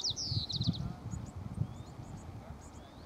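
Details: White-crowned sparrow (Zonotrichia leucophrys) at the Dorena Genetic Resource Center, Umpqua National Forest, Oregon, USA: a quick series of high, descending whistled notes at the start, then faint thin chips, over low rumbling background noise.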